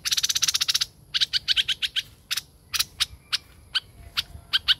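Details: Tame laughingthrush chattering: a rapid rattle of sharp ticking notes opens, then looser single and paired dry clicks follow at uneven intervals.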